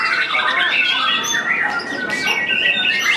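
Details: Training session for a white-rumped shama newly out of moult: clear whistled notes and sharp chattering bursts run together without pause, and people talk softly in the background.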